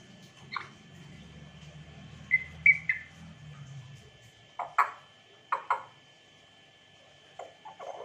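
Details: African grey parrot giving a few short whistled notes near two seconds, then a series of sharp clicks and squeaky chirps, with a low hum underneath.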